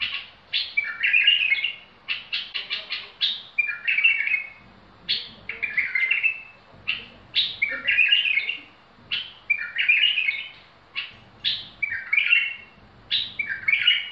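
A bulbul sings short, bright phrases, opening with quick chirps and ending in a warbled flourish.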